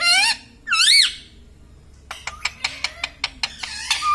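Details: Talking pet Indian ringneck parakeet laughing: two loud, wavy, warbling calls, then a quick run of about eight sharp, evenly spaced staccato notes that sound like a chuckle, ending in a rising squeak.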